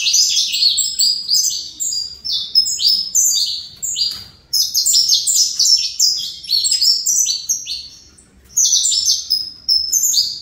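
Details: Fibra line saffron finch kept in captivity singing repeated bursts of high, rapid whistled notes, phrases lasting several seconds and split by brief gaps, one longer silence near the end.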